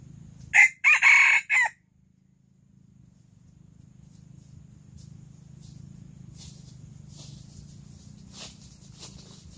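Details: Early-morning crowing from a Silkie rooster: a loud, rasping crow in four quick segments over about one second, followed by quiet low humming and faint scattered rustles.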